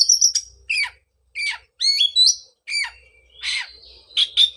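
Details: Oriental magpie-robin song aimed at reviving a post-moult bird that went quiet; loud varied whistles, sliding falling notes and harsh scratchy bursts, delivered in phrases with short pauses.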